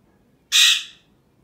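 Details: Male pet Alexandrine parakeet making sounds: one loud, harsh, buzzy screech lasting about half a second, bright and high, then quiet.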